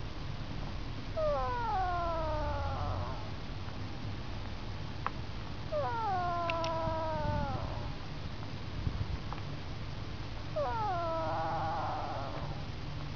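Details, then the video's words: A duck snoring in its sleep, giving three whining, nasal tones about four to five seconds apart, each starting with a quick dip and then drifting slowly downward; a few faint clicks between breaths. "Snoring Duck"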